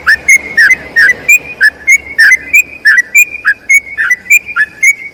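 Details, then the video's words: Tutoring song of a sooty-headed bulbul, a long rolling performance: brisk series of ringing whistled notes, each with a quick dip, about three per second, with a faint low hum underneath. "BURUNG TRUCUKAN ROPEL PANJANG UNTUK MASTERAN TRUCUKAN LAIN"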